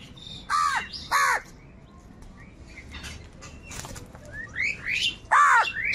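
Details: Two loud, rasping crow caws, a lull filled with faint chirps of smaller birds, then another harsh caw, amid wild birds fighting crows for food.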